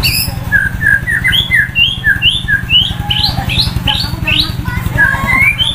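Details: Roadside-sunned White-rumped shama (murai batu) delivers a fast series of sharp rising whistles, about three per second, climbing in pitch through the phrase, over a continuous low mechanical hum.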